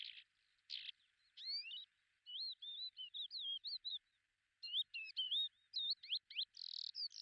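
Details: Lesser short-toed lark recorded in July 2019 at Belchite, Zaragoza province, Spain: a varied run of thin whistled chirps, buzzy notes and quick rising and falling slurs in a fast jumbled sequence, with brief pauses.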